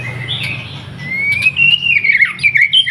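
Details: Brief White-rumped shama song used to coax birds into singing: one long rising whistle that levels off into a wavering, slightly buzzy phrase, with faint background hum.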